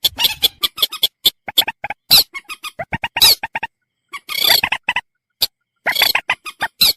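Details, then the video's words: Common moorhen giving busy, irregular short clucks and sharp squeaky notes, broken by a few longer rasping squawks and brief pauses. "suara burung mandar batu"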